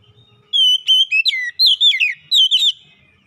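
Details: Oriental magpie-robin lure song to rouse a lazy bird into song: after a brief quiet start, a steady clear whistle leads into quick, tumbling, sliding notes in about six loud bursts over two seconds.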